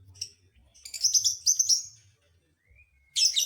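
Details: Lovebird sounding off to provoke other lovebirds, a burst of shrill, rapid chirping notes running together for about a second, a thin rising whistle, then another loud squeaky burst; faint low room hum underneath.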